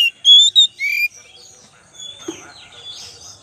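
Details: Kacer lure song: a brief burst of three clear, loud oriental magpie-robin whistles, one sliding upward, followed by faint, soft chirps and hiss.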